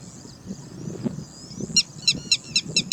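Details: An angry red-wattled lapwing gives its alarm call: a burst of five or six sharp, strident, piercing notes in quick succession, about four a second, over a low rumble and steady high hiss.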